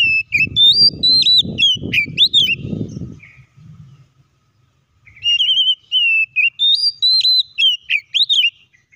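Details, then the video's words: Oriental magpie-robin song used to provoke other magpie-robins to sing: varied loud whistles, sharp upslurs and chirps in fast bursts, thumping noise under the first phrase, a short pause, then another lively whistled phrase. "PANCINGAN BURUNG KACER AGAR IKUT BUNYI DAN BUKA MATERI"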